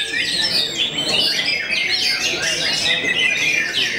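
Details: A famed white-rumped shama that intimidates many opponents pours out a busy, unbroken song of sweeping whistles, short trills and rapid chips, high-pitched and loud throughout.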